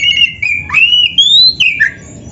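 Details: White-rumped shama (kacer) singing as a training master for other birds: a sustained, smooth whistled phrase that rises gradually, breaks, then ends in a falling slur.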